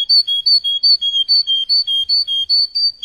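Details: Traynik tutor song for young canary chicks: a single tour of paired whistled notes, high over low, repeated about three times a second in an even rhythm. No other sounds.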